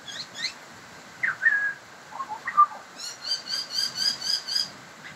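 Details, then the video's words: Pied butcherbird singing: mellow whistled notes sliding and dipping in the mid range, followed by a fast series of high, repeated chattering notes over a quiet background. "Pied Butcherbird singing"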